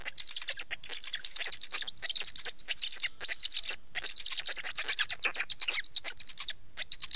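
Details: Black stork uttering continuous wheezy, rasping calls with a high whistled band, intensity rising toward the end.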